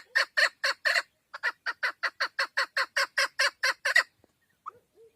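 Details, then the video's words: Loud, hoarse chuck notes from a female chukar partridge, about seventeen in four seconds with a short pause after the first four, then a couple of faint low notes. "Овози модкавг dişi keklik sesi"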